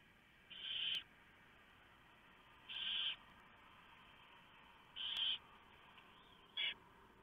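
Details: Owlets at a barn owl nest being fed at night, 3 November 2015, after the male delivers a large mouse; four rough hissing screeches, the last one short and clipped, with faint clicks between.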